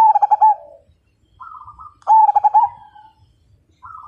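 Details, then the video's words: Zebra dove, called perkutut, a frequent singer whose voice prompts other birds to sing. It gives two loud pulsed coo phrases trailing into a long soft note, each followed by a brief higher note. "Perkutut MAJAPAHIT GACOR DAN FIGHTER Suara Bikin Burung Lain Ikut Manggung"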